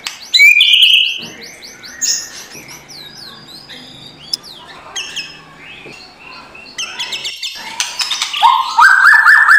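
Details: White-rumped shama morning song used to provoke a lazy bird into singing: varied loud whistles and rapid chattering, a buzzy rising phrase near the end, busy and noisy overall.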